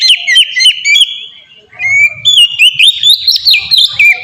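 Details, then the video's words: Oriental magpie-robin in 'ngeplong' song style, a lure meant to get captive magpie-robins singing quickly. Clear sustained whistles and bouncing, looping notes, a short lull, then a renewed stream of fast varied phrases. "suara burung kacer ngeplong merdu"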